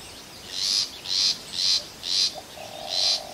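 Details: Long-tailed shrike giving five harsh, buzzy, rasping notes, about two per second, with a short faint low whistle from another source near the end.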